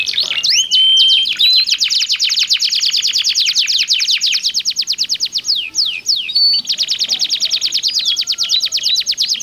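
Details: Canary pair singing in turn, used to prompt other canaries to join in: opening whistles, then a long dense trill of rapid sharp chirps, a brief pause with a steady buzz, and more fast trilling.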